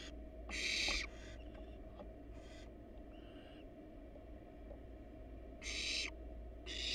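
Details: Wild barn owls resting on a nest box with their nestlings inside; scattered rasping hiss bursts, loud near the start and end with fainter ones and a few soft clicks between, over a steady electrical hum.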